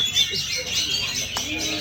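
Oriental magpie-robin pouring out a rich, fast run of high whistled and chattering notes without pause, with men talking nearby.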